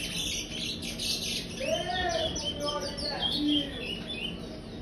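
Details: A brown-plumaged chestnut-bellied seed finch, a five-month-old youngster housed in an aviary, delivers praia-style song: high chirps, then a clear whistled note that rises and falls, followed by layered warbled phrases and a short flat whistle.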